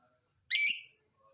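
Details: Lovebird call played as a lure to prompt lazy lovebirds to answer and sing: one loud harsh screech lasting about half a second, rich in high overtones, then silence.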